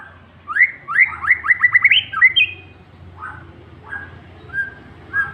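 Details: White-rumped shama provoked into singing aggressively: a fast run of rising whistled notes repeated several times per second, then a buzzy slurred phrase, followed by scattered softer whistles with pauses.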